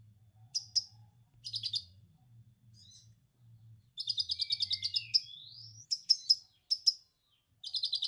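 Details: Konin (orange-headed thrush) with lovebird ngekek material for coaxing untrained birds to sing. Scattered sharp chips lead into a long rapid chatter, then sliding whistles and bright single notes, before another chatter burst. A low hum runs beneath.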